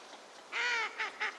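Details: Northern shoveler (Spatula clypeata), a wintering duck at a park pond in the Junsai-ike green area, Chiba, Japan, in March 2025: one long nasal, harmonic quack, then three shorter clipped quacks in quick succession.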